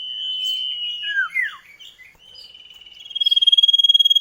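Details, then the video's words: Common iora duet song used as a lure for kept birds, with a long level whistle, two falling slurred notes, then a rapid pulsing trill that grows louder. "Masteran burung CIPOH KACAT gacor ngerol duet pancingan"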